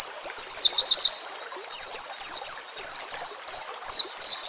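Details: A White-rumped shama sings as a training tutor for other shamas. A fast run of high chirps leads into repeated downward-sliding whistles about every half second. Water trickles faintly in the background.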